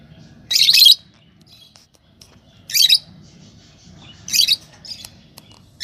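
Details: Yellow Fischer's lovebirds, a pair, utter four harsh, high-pitched chirps at irregular intervals of one to two seconds, the first slightly longer and fuller.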